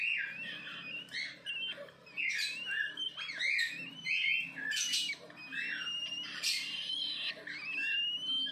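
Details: A mother cockatiel in a breeding pair with a chick gives a run of bright warbling whistles broken by harsh, scratchy squawks.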